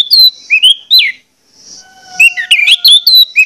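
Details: Loud lure song of an orange-headed thrush, meant to provoke rivals of its kind into singing: a few looping, slurred whistles, a short pause with a soft whistled hum, then a busy jumble of bright notes.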